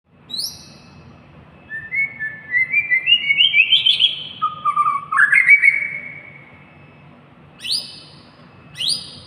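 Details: White-rumped shama singing: clear whistled notes stepping upward in a rising series, a lower swooping phrase, then short sharp high whistles repeated about every second, over a faint low hum.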